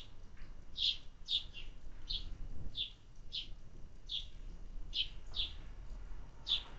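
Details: Sparrows at summer feeding: clipped, high chirps, roughly ten spread over seven seconds, some in quick pairs, over quiet low background hum.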